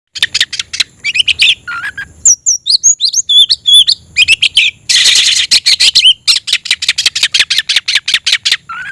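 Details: Oriental magpie-robin singing to call a rival to fight: fast bursts of sharp, buzzy chattering notes alternate with clear, slurred whistles that rise and fall. A brief harsh rasping burst comes midway.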